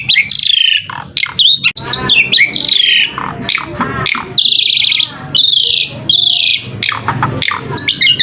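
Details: Lure song of an Asian pied starling, played so other birds reply: loud, varied phrases of harsh rasping bursts alternating with sliding whistles and down-slurred notes, delivered almost without pause.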